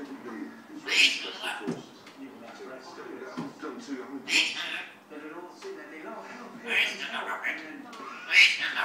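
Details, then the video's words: Pet African grey parrot talking, a bird known for mimicking speech, barking and swearing; raspy, voice-like high utterances come in bursts about every one to two seconds, with quieter murmuring between them and no other clear sounds. "African Grey Parrot talking"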